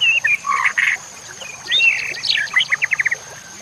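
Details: White-rumped shama (murai batu) song, used as a master track to train other shamas, set with nature sounds and trickling water: bright whistled notes, then a fast run of short repeated notes near the end.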